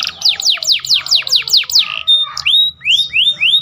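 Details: A canary sings a training song with a ciblek (prinia) fill: a fast run of about eight high, steeply falling whistles, then clear rising upslurred notes, bright and loud.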